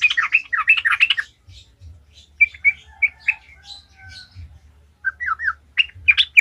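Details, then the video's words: Lure recording of a sooty-headed bulbul singing 'gacor ngalas': a fast burst of chattery notes opens, then scattered single whistled notes and short clipped phrases, with a low background hum. "Trucukan gacor ngalas ahlinya bikin trucukan lain kepanasan langsung jadi gacor ngalas"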